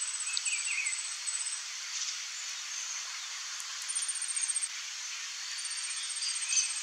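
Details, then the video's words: Glittering-bellied Emerald (Chlorostilbon lucidus) hummingbird song: thin, very high, rapid ticking runs of about a second, repeated three times over a steady insect-like hiss. "BESOURINHO-DE-BICO-VERMELHO canto"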